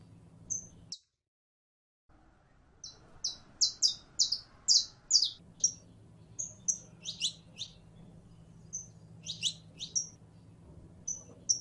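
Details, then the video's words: A female canary in heat calls to attract a male for mating, giving rapid, irregular, high chirps, some short and whistled, others falling and doubled, roughly two per second, with a low background hum. "15 MINUTOS DE HEMBRA EN CELO LLAMANDO A MACHO CANARIO PARA APAREARSE"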